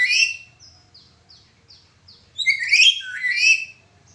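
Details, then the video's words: Black-capped lory with a cracked-voice call, used to train other birds. A harsh squawk opens, followed by four short, soft downslurred chirps spaced evenly, then a loud rough, broken screech in several swelling pieces. "Burung Nuri kepala hitam suara pecah cocok untk Masteran"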